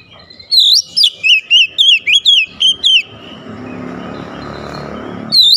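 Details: Oriental magpie-robin challenging a rival: eight evenly spaced, loud whistled notes, each swooping down then up, over about two and a half seconds, followed by broad background noise and one last whistle.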